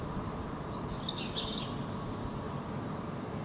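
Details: A Northern wheatear (Oenanthe oenanthe), unseen, sings one brief, scratchy, high warbled phrase of under a second in a park in Helsinki, Finland, in June 2018, over a steady low rumble of traffic or wind.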